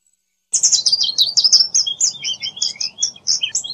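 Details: After half a second of quiet, an American goldfinch bursts into a fast, tumbling twitter of bright, high chirps and short slurred whistles, continuous to the end, with faint low background rumble.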